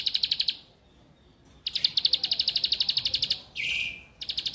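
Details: Trains of quick ticking high notes from a bar-winged prinia, with pauses between bursts and a short buzzy lower note slipped in near the end; played to make quiet birds sing actively.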